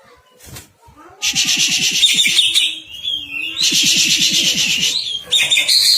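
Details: Agitated greater green leafbird pouring out loud harsh scratchy bursts in two long runs, over a fast series of low rhythmic ticks, with a short whistled slur between the bursts.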